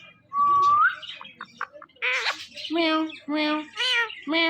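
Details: Talking pet ringneck parrot at a phone: one flat whistle bending upward, a few soft clicks, then five rough, nasal meow-like calls repeated at an even pace.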